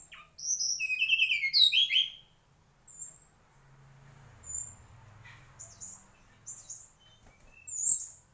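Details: Mangrove whistler song: an opening burst of loud, rich whistled phrases sliding downward over about two seconds, then a quieter stretch of sparse, thin, very high chirps separated by short silent gaps.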